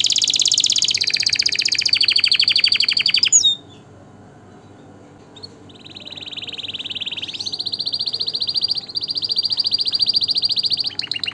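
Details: A canary sings long rolling trills, a brief pause, then a lower buzzy trill that climbs into a higher sustained rolling phrase.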